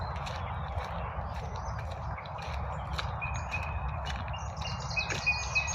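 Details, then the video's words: Midday spring chorus of birds: clear high whistled notes and chirps, several repeated in brisk runs toward the end, set against a continuous low hum of cars on a highway. "BIRDS SINGING- REJOICING IN SPPRING"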